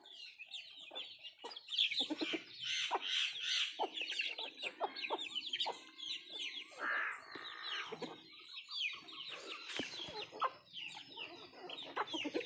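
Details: Country chickens feeding together, giving many rapid high peeps that overlap with bursts of lower clucking, plus occasional sharp clicks from pecking at food.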